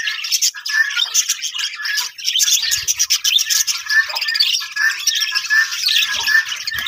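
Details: Budgerigars in a breeding colony setup, many birds chattering at once in a dense, continuous wash of high chirps, squawks and warbled notes with no pauses, busy and overlapping throughout.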